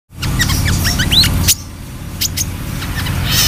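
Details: Brown-throated sunbird singing actively: quick high chirps and sharp rising and falling whistled notes, thin bright calls in rapid irregular bursts, over a steady loud low hum. The hum eases after about a second and a half while the chirps continue.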